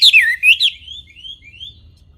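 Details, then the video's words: Short wambi phrase: a few loud sweeping whistles, then fainter drawn-out rising whistles over a low hum. "Kicau Burung Wambi Jernih"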